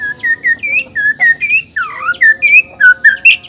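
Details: Black-tailed white-rumped shama from Nias, a male whose song stirs other males to sing: a rapid string of rich whistled notes, each short and slurred, some rising, some dipping, delivered about three to four per second.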